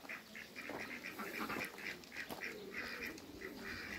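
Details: Pair of Muscovy ducks in a backyard among other waterbirds, giving a fast run of short, nasal, evenly spaced calls, several per second, over a steady background hum.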